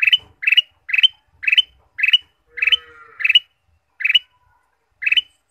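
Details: Ruby-throated bulbul, used to stimulate caged birds: short bright doubled chirps repeated about every half second in a steady series, with a brief lower buzzy trill and faint hum midway.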